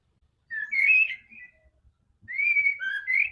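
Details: White-rumped shama, used to get a quiet bird singing: two drawn-out whistled phrases, the first rising and wavering, the second a long level whistle ending in a lower note and upward slur.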